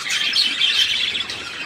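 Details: Budgerigar recorded on 3 April 2017: a short run of bright, rapid twittering and chirping warble, fairly even in loudness throughout.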